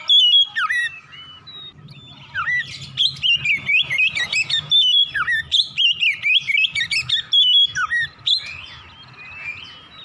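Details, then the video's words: Oriental magpie-robin in the morning, singing to prompt other birds into song: long, energetic run of fluty whistles, slurred downward notes and rapid chips repeated in quick bursts. "PANCINGAN KACER PAGI HARI CEPAT NGROPEL BUKA PARUH"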